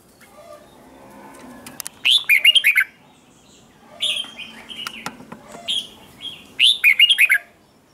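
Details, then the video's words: Red-whiskered bulbul morning training song meant to spur other bulbuls into heated singing contests; three loud phrases of rapid, tumbling warbled notes spaced a few seconds apart, with softer whistled calls in between. "luyện giọng chào mào hót sáng kích bổi hót đấu căng lửa"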